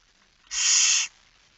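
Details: A single loud, flat, breathy hiss about half a second long from a Barn owl at the nest during a night feeding, 10 September 2019 at 22:45.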